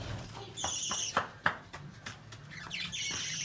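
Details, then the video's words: Lovebirds giving sharp, high chirps in short irregular bursts, with a couple of harsher buzzy calls layered with bright overtones, over a low steady background hum. "LOVE BIRDS SOUND Relaxation|Bird Chirping sound"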